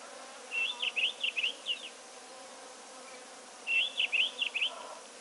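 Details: Gabar goshawk, at a drinking spot with a melanistic-form bird present, giving two quick bursts of high, piping notes, five or six to a burst, each note slurred and bright, over a soft background hiss.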